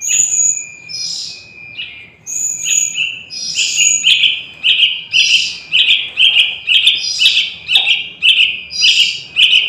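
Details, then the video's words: Young Yellow-vented Bulbul used as a trapping lure for wild bulbuls. It starts with a few high, slurred notes, then settles into insistent, evenly repeated sharp chirps, about two per second, over a faint continuous whine. "Suara Anak Burung Trucukan"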